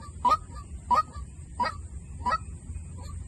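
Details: White-breasted waterhen decoy call: four loud, harsh honking notes with a bright rising tone near the start of each, spaced about two-thirds of a second apart, over a low rumbling background and a steady high whine.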